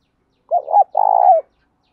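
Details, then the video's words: A spotted dove's coo, played to encourage other doves to call: two throaty syllables and one long rolling, vibrating note that drops away, with nothing else audible. "tieng cu gáy thúc va gay goi chim cu gay kich boi nhanh noi hiệu quả, cu đất gáy giọng hay, cu gáy"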